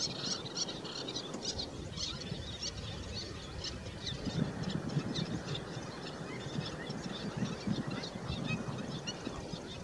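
Black-winged stilts give sharp, yapping kek notes in quick uneven bursts throughout, over a steady low rumble of wind or water.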